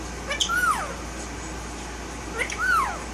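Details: Male Indian ringneck parakeet, a pet talking bird, gives two clear whistles that rise and then fall, about two seconds apart, against steady background hiss.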